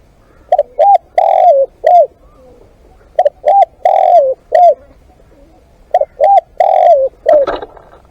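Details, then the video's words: Live decoy spotted dove giving three soft phrases: two short coos, a long downslurred croon, then one coo; a brief rustling burst follows the last phrase. "เสียงนกเขาใหญ่ ต่อสด"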